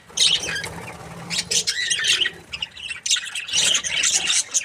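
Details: Happy budgerigars in a group fill the air with dense, scratchy chatter, high squawks and twittering notes overlapping in bursts, a brief lull near the middle, then a louder wave of excited chirps.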